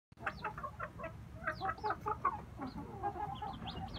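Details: Inbred red junglefowl brothers, several males, giving soft repeated clucks and short chattering notes in quick runs, with thin higher chirps above and a steady low background rumble.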